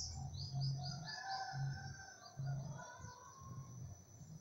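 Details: Bananaquit song: a run of thin, high, repeated notes in quick succession, then softer warbled phrases, over a steady electrical hiss and low rhythmic thumping in the background.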